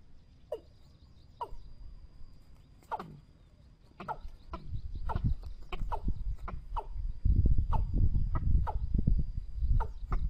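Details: Trapping lure of a Watercock: irregularly spaced descending hollow notes, sparse at first and then quicker, increasingly masked by heavy low thumping and rumbling noise.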